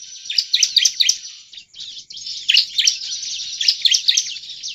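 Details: Persistent song of a bar-winged prinia, played as a lure for other prinias: nearly continuous high, scratchy chirping with thin whistled tones, bunched into three busy phrases.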